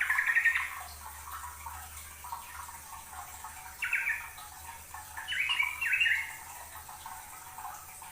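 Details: Yellow-vented bulbul singing busily, used as a master recording for training caged songbirds; short, bright, bubbly warbled phrases come at the start, near four seconds and around six seconds, separated by quiet gaps over a steady low hiss.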